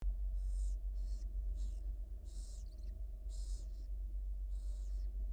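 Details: Barn owl owlets in a nest at the University of Florida, wild, hungry while being fed by their mother; harsh hissing snores in bursts about half a second long, repeated roughly every second over low steady background hum.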